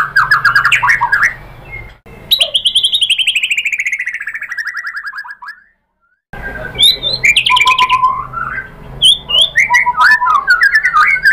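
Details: Lure song of a white-rumped shama for provoking other birds: a fast trill, then a long rapid descending rattle-like series of notes, a short silence, and varied sharp whistled and chattering phrases.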